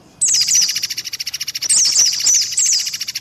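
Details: Lure recording for white-eye within a mixed set. After a short silence, a dense buzzy pulsing trill starts, topped by thin high chirps that drop in pitch every half second.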